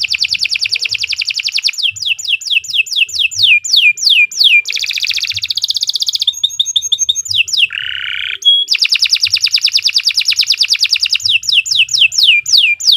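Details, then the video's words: Long, loud canary song for training other birds: rapid repeated descending sweeps, shifting into buzzy rattles, a lower rolling trill, then fast sweeping phrases again, nearly continuous throughout with faint low thumps in the background. "Kicau Burung Kenari II GACOR PANJANG Cocok untuk Masteran"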